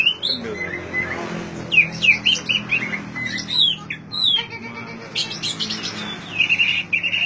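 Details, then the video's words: Song of an oriental magpie-robin, used to coax a mute bird into singing: varied whistles and sharp downslurred notes in quick phrases, some harsher squawky elements, a low hum underneath. "suara asli kacer untuk memancing kacer macet bunyi"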